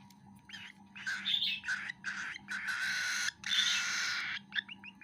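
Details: Feeding baby cockatiel, rapid chattering begging calls building into longer buzzy rasps, ending with a few quick chirps.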